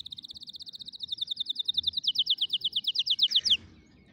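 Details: Canary singing to train young canaries: a long, steady, fast trill of clear high notes that grows louder and slightly higher before ending abruptly after about three and a half seconds, followed by quiet.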